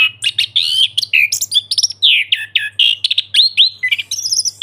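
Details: Ngeplong song of an orange-headed thrush, used as therapy for birds that have stopped singing: a continuous stream of loud, varied whistles, slurs and sharp chips delivered quickly with almost no gaps. Low hum in the background.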